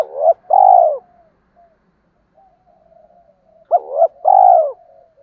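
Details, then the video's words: Cooing of spotted doves used to excite freshly caught birds and train decoy birds: two phrases, each a brief hiccuping double note then a long rich coo, separated by soft trailing hums. "tiếng chim cu gáy kích bổi mới và tập mồi hiệu quả"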